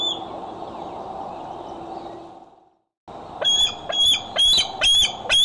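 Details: Bald eagles at the Decorah nest, filmed by a nest camera on the afternoon or evening of 6 July 2011: steady broadband hiss for two seconds, a brief silence, then high thin whistled notes with sharp downward slurs, repeated quickly.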